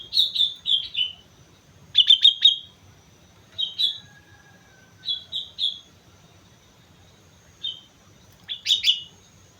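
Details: Sooty-headed bulbul singing vigorously on Mount Slamet: bright, clear whistled notes in short groups of two to four, each phrase separated by a pause of one to two seconds, over a faint low rumble.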